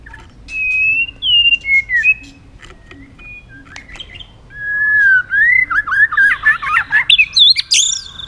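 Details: White-rumped shama singing competitively, flicking its tail: clear whistled phrases near mid pitch, then a rapid warbling run rising into high sharp notes, with short pauses between bursts.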